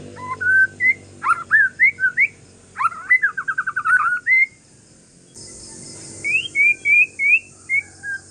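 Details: Calm song of a white-rumped shama from Aceh forest stock, used to draw replies from other shamas. Varied whistles and swooping slurs give way to a fast rattling trill, then a series of bright rising whistles.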